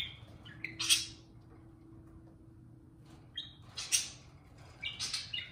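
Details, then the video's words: Pet parakeet indoors, said to be serenading a can of beer: three sharp, harsh squawking bursts spaced a few seconds apart, with a faint steady hum underneath and quiet room between calls. "Pixel the Parakeet Talks + Kiwi serenades a can of beer"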